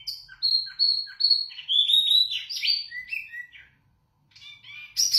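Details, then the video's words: Wambi mini (zebra finch) in loud, clear song for tutoring other birds: steady level whistles, then downward-sliding whistled notes and short buzzy bursts, a brief pause, then renewed chatter. "Wambi Mini Gacor Lantang Suara Jernih Untuk Masteran"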